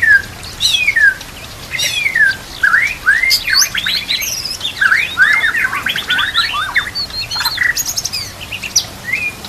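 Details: White-rumped shama song used as masteran to train other shamas, mixed with nature and trickling water sounds: a rich, varied run of loud whistles, slurred rising and falling notes and rapid buzzy trills, nearly continuous.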